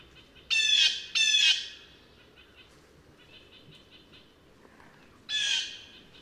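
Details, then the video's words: Two back-to-back raspy screams from a blue jay open the sequence, followed after a pause by a single softer harsh call; faint background hiss between them. "Canto do Gaio Azul"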